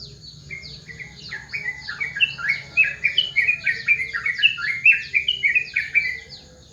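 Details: Yellow-vented bulbul calling in the morning: a dense, bubbly run of quick warbled chirps that rises and falls for several seconds. A thin, high descending note from another bird repeats steadily behind it.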